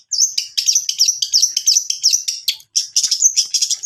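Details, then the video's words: Lure recording of long-tailed shrike song meant to coax a reluctant bird into singing. Dense run of sharp, high chirping notes and sweet warbled slurs, delivered fast and uneven with one brief pause midway. "Pancingan cendet malas bunyi"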